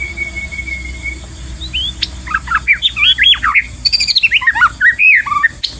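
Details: Wild white-rumped shama heard during a trapping session, pouring out a rapid, rich run of twisting whistled notes that jump between low and high pitches, over a steady background hum.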